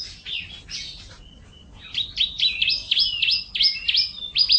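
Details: F1 canary song meant to train canaries; after a quiet start, a series of warbled, sweeping chirps repeated irregularly and growing louder.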